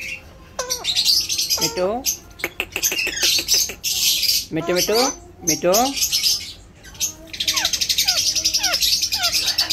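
An Alexandrine parakeet chatters in short, squawky bursts and copies speech-like syllables, with sharp rising and falling whistles woven between them, all in a small room.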